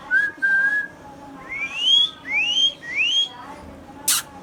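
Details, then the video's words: Hand-tame pet Indian ringneck parakeet, a green parrot, gives a series of clear whistled notes: a short level pair, then three sweeping upslurs that rise steeply and repeat about every 0.7 seconds, ending with a sharp click. "Green Ringneck Parrot sounds"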